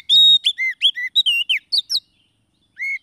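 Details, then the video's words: Oriental magpie-robin song for luring wild birds, also played to prompt reluctant birds to sing. A quick run of sharp, clear whistles and bent notes lasts under two seconds and ends with one lone whistle. "SUARA PIKAT KACER PALING AMPUH"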